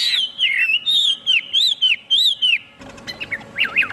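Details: Chinese hwamei singing loud, clear whistled notes that rise and fall in a repeated looping pattern. A brief, different, higher phrase follows over faint background hiss.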